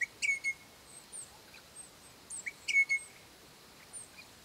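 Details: Crimson Rosella pair calling to their young ones: two clear whistled phrases, each a quick upswept note running into a sustained flat whistle, about 2.5 seconds apart, with thin high chirps in between.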